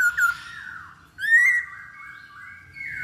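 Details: Masked laughingthrush lure song to draw a bird into singing: a falling whistled phrase, then a loud rising whistle that levels into long sustained tones, with a faint room hum below.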